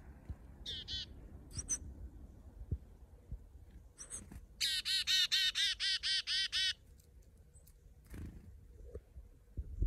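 Chickadee giving a few high opening notes, then a quick run of about nine buzzy, harsh 'dee' notes, over quiet outdoor background.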